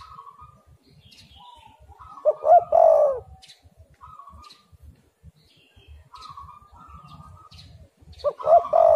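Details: Spotted dove in a lure recording meant to make other doves call, 'angin Topan' style: two loud bursts of low, rolling, throaty coos a few seconds apart, with thin steady whistled notes of other birds and low tapping noises between.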